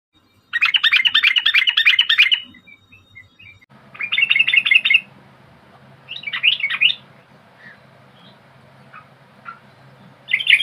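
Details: Yellow-vented bulbul used as a lure, singing bursts of rapid bubbly chattering notes in three main phrases, with softer scattered chirps between and a low hum in the background.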